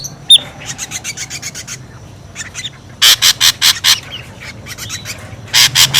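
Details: Ashy drongo lure call, noisy and scolding: a sharp squeak, then soft rasps, then loud bursts of broad, harsh, grating notes in two rapid series of about five and three.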